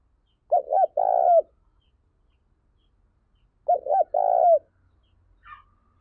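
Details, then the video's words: Two cooing phrases about three seconds apart from a spotted dove lure bird used to rouse other doves; each phrase has two quick clipped notes and then a drawn-out, slightly falling coo, with a faint higher note near the end. "Chim Cu Gáy Mồi Cực Sung Dùng Tập Mồi Kích Bổi"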